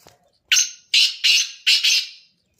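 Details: Black francolin giving a harsh, grating call: five loud raspy bursts in quick succession over about two seconds, the last two nearly joined, with silence before and after.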